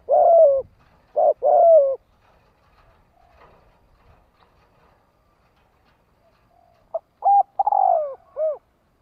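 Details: Calling spotted dove in the thổ đồng voice, used as a decoy to draw in wild doves: deep, hollow coo phrases in two bursts separated by several seconds of near silence, with faint rustling between.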